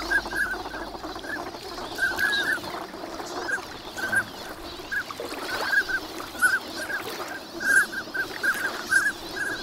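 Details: Many migrant ducks winter at Lake Inawashiro, Nagahama, on a clear morning, recorded with a shotgun microphone. Brief whistled calls come in scattered clusters, rising and falling among many birds, against soft water and wind noise.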